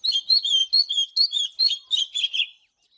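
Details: Oriental magpie-robin singing in the morning, kept for song training: bright whistled phrases repeated about every half second, each a rising then level note with sharp clicks, ending after two and a half seconds in clear quiet.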